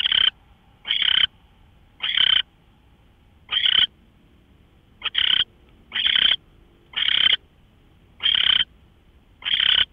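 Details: Owl at 5:27 AM, March 24, 2013, captured by a live nest cam. Nine short, harsh rasping hisses come in an irregular series, some close together and others after longer pauses, with no other sounds.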